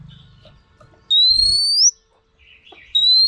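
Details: Female Oriental magpie-robin giving a single long, pure whistle that rises slowly to an upturned end, followed by a pause and the start of another, used to stimulate males.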